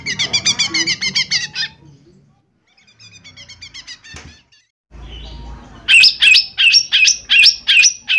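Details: Cucak ijo mini, or lesser green leafbird, singing a lure to provoke other birds: a fast run of piercing repeated notes, a quiet gap with a thump, then loud evenly spaced sharp whistles.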